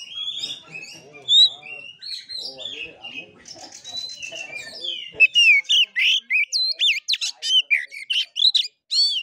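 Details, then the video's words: Oriental magpie-robin performing its fighting-style song, the kura kura style: soft, scratchy twittering at first, then a fast run of loud, clear looping whistles, each sharply rising and falling, spaced about a quarter second apart. "KACER NGEPLAY TARUNG|GAYA KURA KURA"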